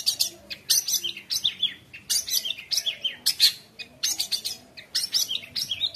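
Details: Long-tailed shrike in dense, varied song, used as a tutor for speckled juveniles and to provoke rivals. Rapid chattering bursts mix harsh rasps with rising and falling whistled phrases, nearly continuous with brief pauses.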